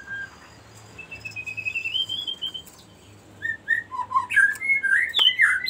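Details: Cinereous tit giving a long rolling song, the ngerol style, used to trigger other birds and to tutor them. Quiet opening, then a run of clear whistled notes leaping between low and high pitches with brief sharp chips.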